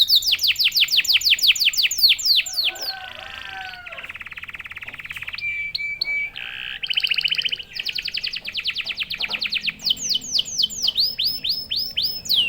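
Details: Caged canary, an actively singing champion bird meant to stir other canaries into fast song, delivers a varied song: rapid repeated descending notes, buzzy rattling rolls, a steady whistled tone, then quick trills and sharp upswept notes.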